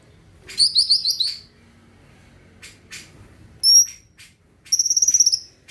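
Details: Greater green leafbird in full song, meant to get other birds singing: a burst of fast rolling trills, scattered clicks, a short piercing whistle, then another quick run of high warbled notes.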